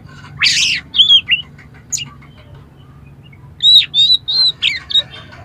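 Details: Oriental magpie-robin singing harsh, varied phrases meant to stir another bird: a rasping burst, then clear whistled notes, a gap of quiet, and a run of bright whistles near the end, low hum beneath.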